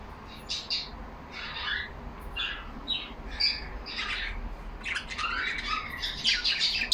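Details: Caged pet budgies talking among themselves: separate scratchy warbled bursts and brief squawks come every half second or so at first, then merge into a thicker, busier chatter toward the end.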